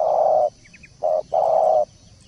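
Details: Spotted dove cooing for 'masteran' training: one long low coo, then a short note and a second long coo, with three faint high chirps from another bird between.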